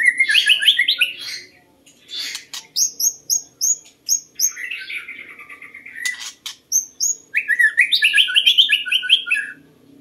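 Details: White-rumped shama song used to lure birds: loud fast warbling flourishes alternating with a run of high clear repeated whistles, rich varied twittering, constant low hum underneath.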